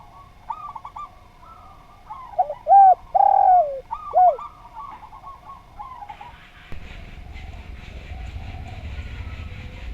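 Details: Training recording of spotted dove song: soft rippling coos, then three loud, clear downslurred coos. Broad rustling noise takes over the last few seconds.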